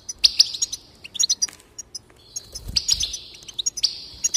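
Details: Singing goldfinch, used to spur other birds into song: sharp ringing notes open, followed by scattered twitters and two sustained buzzy trills with bright accents at the start.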